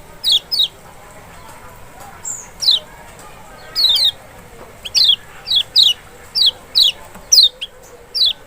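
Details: Lemon-bellied white-eye (kecial, Lombok or Sumbawa form), played to provoke a reluctant, quiet bird into responding: sharp, high, downslurred notes, single or in quick pairs, about a dozen over eight seconds, over a faint steady background hum.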